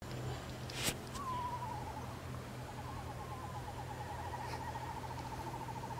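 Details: Eastern screech-owl (Megascops asio) at Presque Isle State Park, Erie, Pennsylvania, 14 November 2018, leaves down: a short descending whinny, then a long, even, tremulous trill on one pitch, over a steady low rumble of distant traffic.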